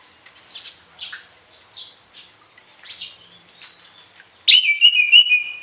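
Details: Singing orange-headed thrush, a varied song for training other birds in morning and evening: rapid series of high twittered and slurred notes, then a loud sustained whistled trill wavering in pitch.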